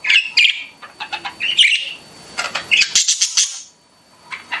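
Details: Pet budgies chirping: bright high tweets, a burst of rapid ticking clicks, then a squeaky warbled flurry before fading to quiet with a final faint chirp.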